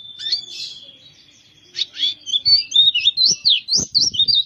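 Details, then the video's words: White-eye of the dakun kind, Kintamani, Bali. It opens with a thin level whistle and buzzy notes, then breaks into a lively twittering warble of looping high notes, with soft low knocks beneath. "suara kicau burung pleci dakun bali kintamani"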